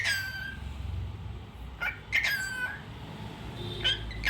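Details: Cockatiel singing indoors: a few clear whistled notes, some sliding downward, separated by pauses, over a steady low hum.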